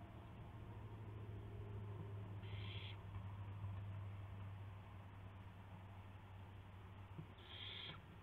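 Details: Owl at night, April 7 2016 around 12:25 AM, during a gopher delivery: two short raspy hissing bursts about five seconds apart, over a steady low electrical hum.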